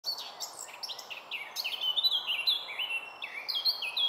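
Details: A Eurasian blackcap in Milton Keynes, UK, in May 2021 sings a rich, fast warble of varied whistled notes, climbing into clear fluty phrases, over faint background hiss.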